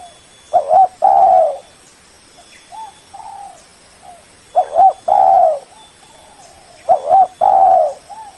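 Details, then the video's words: Lure call of a spotted dove meant to call a rival, loud repeated phrases of two quick coos and a long falling coo about every two and a half seconds, with fainter coos from another dove in the gaps. "Suara burung Tekukur pikat paling ampuh, memanggil lawan"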